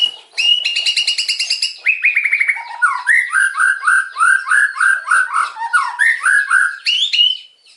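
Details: White-rumped shama song in 'nembak kasar' style: a fast high trill, then a descending chattering run, then a long series of lower slurred notes repeated about four times per second, ending in a rising whistle.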